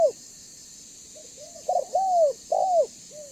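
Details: Spotted dove in banggo voice, a lure to get other doves calling and approaching: soft, short hooked coos build into two loud ones, a stutter-started drawn coo and a bowed coo, then a faint closing note.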